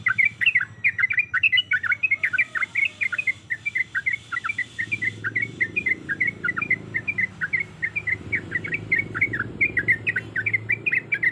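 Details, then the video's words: Breeding female yellow-vented bulbul calling a male with insistent rolling phrases. Rapid bubbly chatter pours out continuously, louder at first and slightly softer later, over a faint low background rumble. "Suara Ropelan Trucuk Gacor Yang Ngotot Memanggil Lawan"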